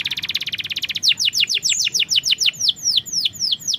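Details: Canary singing, played as a lure recording for a reluctant bird: a rapid, even trill of short high notes, then a string of downward-sweeping whistled notes about four per second.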